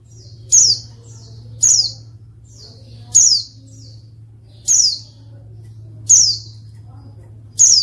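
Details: Female white-eye calling, used to provoke males reluctant to sing: sharp high descending notes repeated roughly every one and a half seconds, each with a faint lead-in, over a steady low hum.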